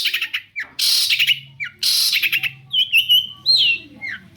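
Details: Long-tailed shrike song, played to provoke replies from other shrikes: alternating loud harsh screeches and short downslurred whistles, then a warbling whistled phrase, over a faint low hum.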